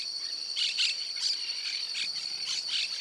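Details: Brown-chested martin (Progne tapera) in Santa Fe, Argentina, 2023, gives short, bright chirping notes, roughly two per second, over a steady high insect drone.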